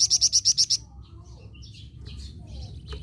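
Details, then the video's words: Eagerly singing flamboyan bird gives a quick string of about seven loud, high, clipped notes, then falls to faint scattered chirps and squeaks over low background rumble. "BURUNG FLAMBOYAN GACOR"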